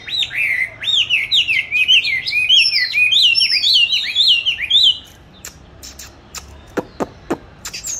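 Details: Song practice of a caged oriental magpie-robin hung in an ideal place, recorded 22 March 2021: a five-second rapid sequence of looping, melodious whistles, followed by a few sharp clicks and quiet.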